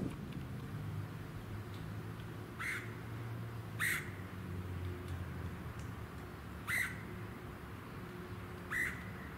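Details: Red-headed Woodpecker (Melanerpes erythrocephalus) at Ludington, Michigan, USA, in June 2019, giving four harsh, raspy squawks spaced a second or more apart, over a steady low suburban and wind rumble.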